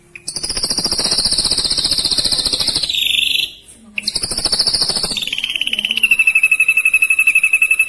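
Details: Caged ashy drongo singing a rapid, tightly spaced roll-style song: long buzzy rattling notes held at one high pitch, a brief pause, then a lower rattling trill that slides down slightly and pulses fast to the end.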